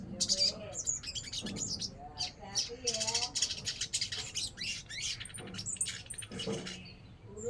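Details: Crimson sunbird (sogon) giving a dense run of thin, high, sharp chirps and rapid buzzy trills, with lower warbled notes from other birds and a low background hum.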